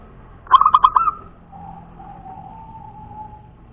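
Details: Zebra dove of the punden type, a local wild-type bird, gives a burst of five loud staccato notes followed by a softer, drawn-out trilling coo held at a steady pitch, with a faint low hum underneath.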